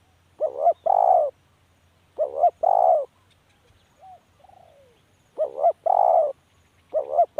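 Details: Spotted dove repeating its cooing call four times in a row, each phrase a brief double note plus a longer resonant coo, with faint soft notes between.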